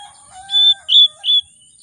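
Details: Agitated oriental magpie-robin (kacer) singing to provoke reluctant birds: a long low whistle, then three loud high whistled notes, each slightly shorter. A steady high-pitched whine runs in the background.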